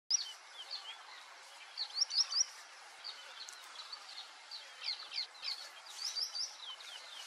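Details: White-faced whistling duck calling, high clear whistles in a quick three-note phrase near the two-second mark, with many other whistled notes from several birds scattered throughout against steady background hiss.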